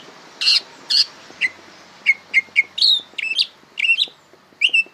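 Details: Greater green leafbird youngster learning its song, mixing loud broad chip notes with clear whistled notes that rise and fall, delivered irregularly about twice a second.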